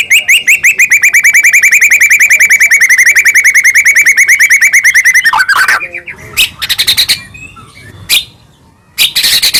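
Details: Medan white-rumped shama singing a lure meant to excite captive birds into song: a long, rapid, even trill of buzzy notes for about five seconds, followed by harsh, noisy bursts and short rattles.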